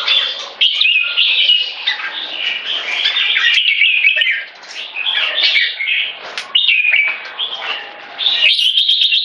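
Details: Red-whiskered bulbul kept as a cage bird, singing 'one stroke' song leading to 'keke'. Liquid whistled phrases with quick rising and falling slurs come in bursts separated by short pauses, clear against a quiet background.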